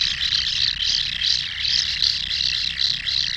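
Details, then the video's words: Inside a common kingfisher nesting burrow, loud high rasping calls pulse in a steady rhythm, roughly three buzzy bursts per second, over a faint low rumble. "Hlas ledňáčka (Alcedo atthis), Kingfisher"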